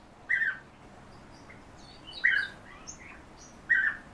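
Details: Captive European bee-eaters bred at home, uttering three clear rolling calls roughly every one and a half seconds, with scattered faint high twitters between them.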